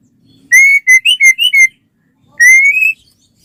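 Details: White-rumped shama singing as a lure to start other shamas singing: a cluster of five or six short clear whistles, then after a pause one long whistle sliding upward.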